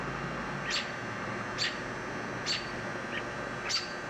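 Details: Near a downspout nest holding chicks, adult robins complain with four sharp, high notes almost a second apart plus one softer note, over a steady air-conditioner drone.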